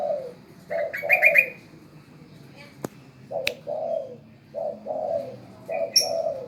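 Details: A spotted dove trained to call on command gives a series of soft, hoarse coos, each phrase a short note followed by a longer falling one, repeated several times. Higher rapid trilled notes and a few clicks sound in between.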